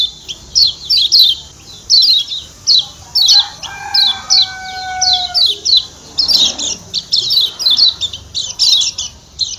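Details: High, sharp 'ciak ciak' chips from a Lombok white-eye (kecial kuning), paired notes repeating steadily, then denser bursts, with a soft sustained whistle in the middle.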